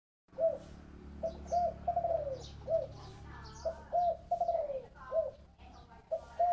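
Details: Spotted dove cooing in the 'thổ bầu' voice style: short, mellow, hollow coos around mid pitch, some slurred downward, given in loose phrases of two to four notes with brief pauses; faint chirps from other birds behind.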